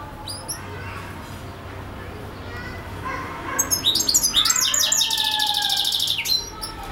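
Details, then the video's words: Singing European goldfinch: after a quiet start, a burst of fast liquid twitters and high chirps runs into a buzzy, rattling passage, then stops abruptly. "European goldfinch singing/song"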